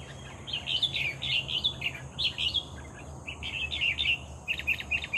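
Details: Red-whiskered bulbul, a lively singer caught by lure, giving bubbly warbled phrases of rich liquid notes, several short bursts spread across the clip with brief gaps, over a steady high hiss and low hum.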